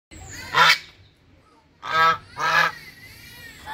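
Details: Hungry brown Chinese geese give three loud, brassy honks, harsh and nasal, spaced about a second or more apart, against a quiet background.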